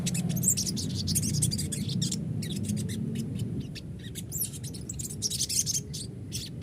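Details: Crested jay lure to encourage singing and answering: fast, chattering run of short, sharp, high chirps, around four per second, loosest toward the middle, over a constant low hum.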